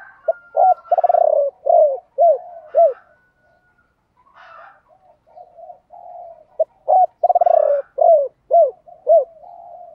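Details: Spotted doves, both sexes, cooing for training birds to coo faster. A rattled phrase of hollow hoots fades into soft murmuring coos, then a second full phrase of trill and falling hoots follows.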